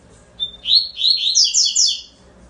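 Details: Double-collared seedeater singing: a thin whistled opening note, then a rapid run of bright, high chirped phrases sliding up and down, about one and a half seconds long, over quiet background.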